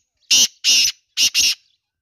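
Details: Female black francolin: four loud, harsh, scratchy bursts in two pairs, the second pair closer together, all within about one and a half seconds.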